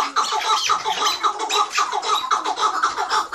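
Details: Chukar partridge recorded in Mazıdağı, Mardin, in 2018, giving rapid, repeated clucking chuck notes in a steady run, over a hissy background with what may be faint music.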